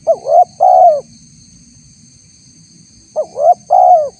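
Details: Tekukur, the spotted dove, giving a lure call meant to provoke wild doves to answer. Two mellow coo phrases, each a brief note, an upward-sliding coo and a drawn-out descending coo, about three seconds apart, with a soft constant hum.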